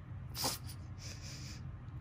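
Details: Indoor pet blue-and-gold macaw, female, sniffling as fake crying while waiting for a family member to return: a quick snuffly intake, then a drawn-out hissing sniffle lasting about half a second.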